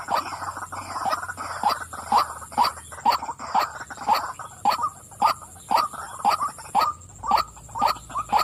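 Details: A female white-breasted waterhen croaks a repeated rasping 'wak', around two notes per second, rhythmic and insistent, with a steady high-pitched electrical tone behind.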